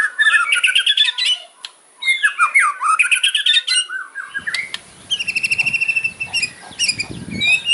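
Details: White-rumped shama with loud fighting kretekan song full of sharp fill notes; dense buzzy rattles and rippling trills, harsh squawky passages, then fast metallic stutters over a faint low background rumble.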